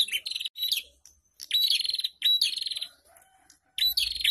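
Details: Prinias singing as a group (ombyokan), intended to trigger song in caged prinias. Short, harsh trilled bursts alternate with brief gaps, and a faint lower tone is heard between phrases.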